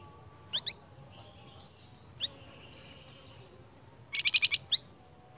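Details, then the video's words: Lure song of a flamboyan bird for cage birds: thin high sweeping notes and short chirps, then a quick buzzy trill of five pulses near the end. "PANCINGAN BURUNG FLAMBOYAN YANG GACOR"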